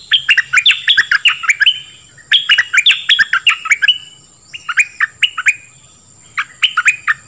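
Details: Dok Taeng bird song, a recording used to train young birds and excite them; bursts of quick rising chirped notes with a hooked end, grouped in phrases with short pauses, and a steady high electronic whine throughout.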